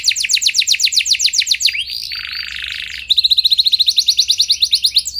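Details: Lively canary song meant to provoke other canaries: a run of rapid downswept notes, a harsh broad buzzy phrase, then a long, steady, fast trill of short high notes.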